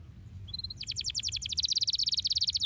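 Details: Canary song for stimulating canaries to sing: a couple of short whistles, then a rapid, steady trill of clipped notes that speeds up toward the end.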